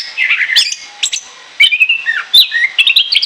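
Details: Orange-headed thrush song meant for luring birds, sung in the ngoceh ngeplong manner. Short bursts of trilling, rising whistles and crisp chips, separated by brief pauses, all clear and high-pitched.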